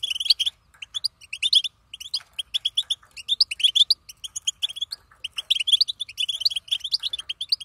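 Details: Female European goldfinch producing batbata chatter, with energetic bursts of sharp, sweet twittering notes, some rising slightly, separated by brief gaps; recorded close with a quiet background.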